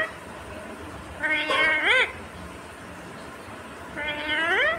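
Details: Talking Indian ringneck parakeet imitating human speech, said to be saying "mummy" and asking for roti in a clear voice; two short bursts of harmonic, rising, speech-like syllables a few seconds apart in a quiet room.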